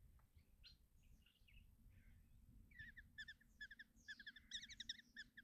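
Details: Kestrel young at a nest box in Tiszalök, Hungary, during a morning feed by their mother, June 2024. Soft scattered notes at first, then a rising series of sharp, stuttering chips grows louder over a rumbling background.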